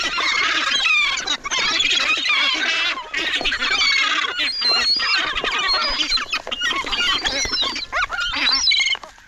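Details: Hungry gulls crowding in and competing for food, a dense overlapping chorus of harsh, squealing and mewing calls from many birds at once, loud and continuous throughout with brief dips.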